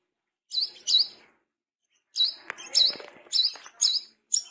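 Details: Brown-throated sunbird, tame and wild-caught, calling wiceh: a pair of sharp high chirps, a pause, then a steady string of about six piercing notes over faint background clatter.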